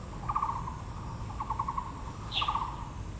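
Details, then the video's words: Taiwan blue magpie at Yangmingshan Park, Taipei, azaleas in bloom: three quick rattled bursts of clicking pulses, one joined by a brief higher squeak, with soft low background noise. "台北 陽明公園 (藍鵲+杜鵑花)(Natural sound)"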